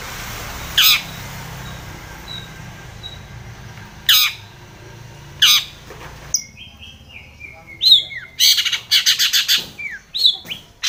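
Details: Long-tailed shrike calling to a rival: spaced harsh bursts over background hiss, then a quicker mix of short whistles and a fast run of scratchy chattering notes.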